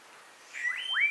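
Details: Melodious Blackbird singing near cabins at Xpujil, Mexico, a bird not always easy to see while displaying and singing; two clear rising whistled notes, the second sliding upward and holding steady.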